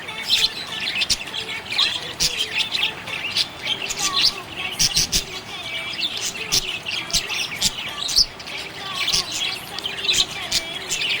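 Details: Contented budgerigar producing continuous high chattering chirps and warbled notes, many sharp clicks and short squawks spread evenly across the stretch.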